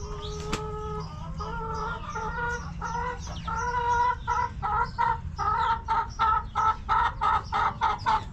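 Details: A backyard hen starts with a few drawn-out nasal notes, then speeds into a run of sharp, evenly spaced clucks about three per second, louder toward the end.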